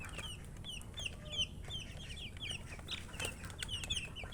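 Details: Baby chickens chirping: a constant stream of high, short falling peeps from several chicks, with light clicks and a low background hum.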